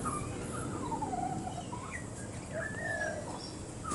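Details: A young fledgling pied butcherbird, visiting with a parent near a water feeder on 21 Jan 2019, tests its voice with soft, wandering fluty warbled phrases that slide up and down, over a low background rumble.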